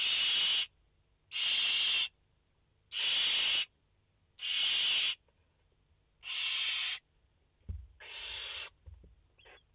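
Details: Five barn owl nestlings on 29 August 2021 give loud rasping hiss calls about every 1.4 seconds, four even bursts then softer, shorter ones with faint knocks in the nest.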